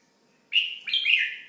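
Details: A red-whiskered bulbul gives a single two-part call: a clear, sharp chirp running straight into a longer, bubbling, slightly falling note, close and loud against silence.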